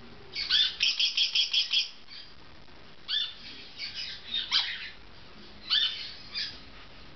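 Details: Pet golden-winged parakeet vocalizing at bath time: a fast run of harsh chattering squawks, then scattered rasping chatter notes in uneven bursts.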